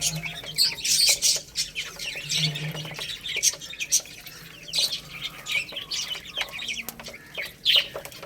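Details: High-pitched chirping from a group of chicks feeding on rice, with busy overlapping tweets that swell and fade and a few quiet clicks.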